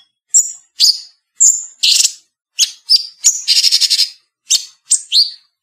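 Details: Cucak cungkok bulbul song, edited clean, for training other songbirds: short, loud, high whistled phrases, some slurred downward, with one quick stuttering burst of rapid notes midway. No other sounds are heard.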